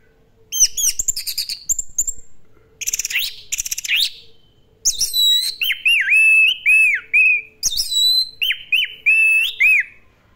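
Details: Orange-headed thrush singing energetically in the classic style: rapid chattering bursts and high trills give way to rich, loud whistled phrases, many dropping then rising, delivered in quick succession with brief gaps; a soft low hum persists.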